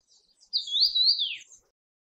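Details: A Red-bellied thrush wintering in Taiwan utters a single clear, high, sibilant note, slightly undulating before dropping away at the end, with faint high ticks just before it and otherwise silent surroundings.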